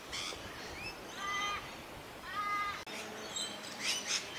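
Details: Pied oystercatcher pair apparently settled on a nest scrape in cold weather, giving two short bursts of shrill piping calls with sharper high notes at start and end, over soft outdoor hiss.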